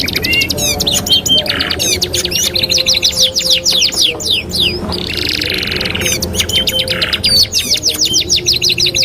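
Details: Canary master song for training: fast twittering trills with whistled slurs, several buzzy rolls, and a short lull near the middle before the chattering resumes.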